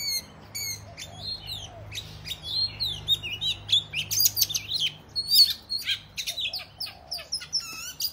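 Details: Oriental magpie-robin (kacer) in 'ngobra' fighting song aimed at rival males; scattered loud whistles, sharp chips and brief slurred phrases, sparser at the start and busier in the middle, over a faint low hum.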